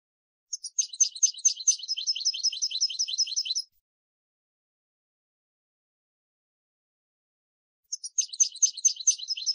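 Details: European goldfinch singing: two bursts of rapid, high, tinkling twittered notes, quickly repeated, separated by about four seconds of silence.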